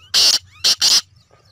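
A black francolin gives three harsh, grating notes, one then a quick pair, all within a second, against a faint low background hum.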